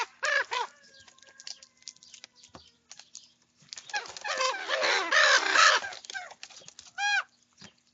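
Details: Several young common ravens squabble over food while eating breakfast; loud arched croaking calls open and close the passage, with a dense chorus of overlapping harsh calls in the middle.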